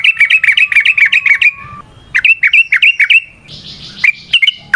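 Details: Sooty-headed bulbul (trucukan) in a long lively song used for luring and training others: fast series of bright, down-slurred notes, a brief pause, then another rapid run and a few scattered chirps.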